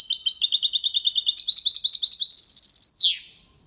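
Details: Clean, faultless song of a goldfinch × canary hybrid, played to stimulate hens and teach young birds; rapid high chattering notes give way to a dry repeated trill and a final descending sweep.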